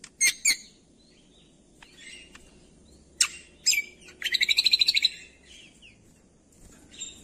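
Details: Cucak kombo (leafbird) song for coaxing reluctant songbirds to sing: sharp high chips, a quiet pause, then loud downward whistles leading into a fast, even rattle of repeated notes, and a few soft notes after.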